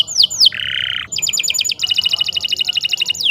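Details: Canary singing for training other songbirds: two falling whistles, a harsh buzzy burst, then fast trills of high repeated notes at about eight per second, ending with another falling whistle.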